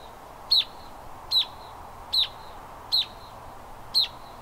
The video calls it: Canyon Wren